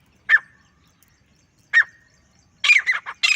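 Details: Lone male grey francolin: two separate sharp, short squawking notes, each with a thin trailing tone, followed by the start of a harsh, clustered burst of calls.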